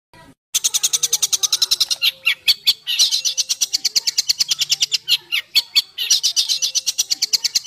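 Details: Songbird in harsh 'besetan kasar' style, recorded as training material for home-kept and contest birds: after a short silence, an almost unbroken run of rapid, raspy staccato notes, roughly six per second, with brief faster stretches.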